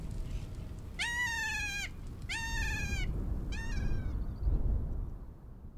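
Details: Kea at Arthur's Pass, New Zealand, in March 2020, one of the cheekiest birds; three harsh, drawn-out screeches with rich harmonics, each about a second long and slightly falling, over low rumbling background noise.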